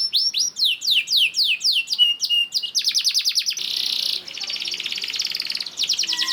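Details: Canary lure song of the long 'dor ngerek' kind, used to get other canaries singing: loud downslurred notes in sequence, a fast trill, a softer buzzy churring stretch, then another quick trill.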